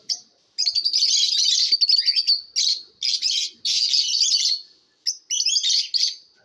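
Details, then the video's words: Lovebirds chirping in a competition setting: dense, buzzy, high chatter in long bursts of one to two seconds, separated by short pauses, with harsh rasping tones throughout. "Love BIRDS ChAPRING SOUNDS COMPETITION"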